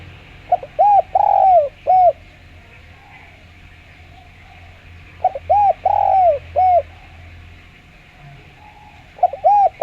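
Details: A clear-voiced spotted dove, used as a lure for other doves, gives its coo phrase three times about four to five seconds apart. Each phrase has two quick coos, a long slurred coo and a closing coo.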